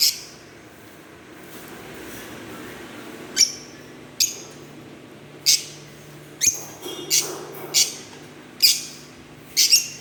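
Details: Green Fischer's lovebirds: after a quiet start, a string of sharp, high, slightly rising chirps, irregular and clustered toward the end.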